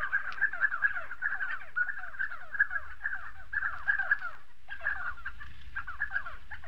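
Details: Many spotted sandgrouse, South Morocco, giving a busy stream of gurgling, slurred calls that blend into a steady chatter, with one short lull midway, over a light low-pitched background hum.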